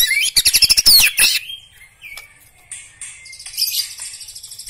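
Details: Black-legged white-rumped shama singing a fast burst of sharp, high chattering notes, about four per second for over a second. Softer, higher twittering phrases follow after a brief lull.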